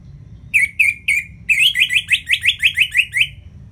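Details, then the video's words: Orange-headed thrush in ngeplong song style, used as a master track to prompt lazy birds to sing: three loud whistled notes, then a rapid run of about ten clear, slightly downslurred notes near the same pitch over low background hum. "ANIS MERAH Ngeplong Masteran Jahat Untuk Burung Yang Malas Bunyi Agar Lebih Gacor Selalu"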